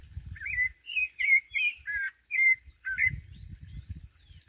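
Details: Thrush singing from a jackfruit tree, a lively run of warbled whistled phrases, some rising and some falling, delivered about two per second, with fainter high chirps above and low background rumble.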